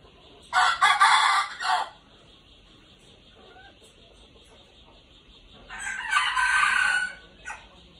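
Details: A red junglefowl used as a decoy, with golden plumage, crows loudly and raspily for over a second. After a long quiet gap it gives a second similar harsh crow, with a steady faint tone throughout.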